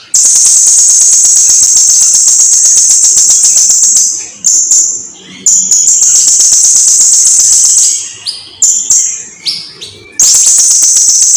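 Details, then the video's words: Blue-crowned hanging parrot in full song for tutoring other birds: a long four-second shrill, high, buzzy trill, then a stretch of short stuttering chips and brief trills, ending in another sustained piercing trill. "Kicauan Suara Burung SERINDIT GACOR !! Durasi Panjang || Sang Guru Vokal"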